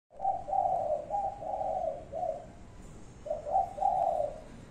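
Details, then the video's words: Spotted dove giving its five-note cooing call, a short 'cục' then 'cu cu... cu... cu'; low soft hooting coos near 600–800 pitch band, two phrases of several linked notes separated by a brief pause, little else audible. "chim cu gáy 5 tiếng. cục... cu cu...cu ...cu"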